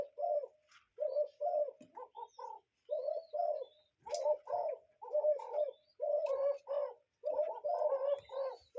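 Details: Cuckoo calling in nature: low, hollow two-note calls repeated steadily, pairs following each other about every second, with faint high chirps from other small birds behind.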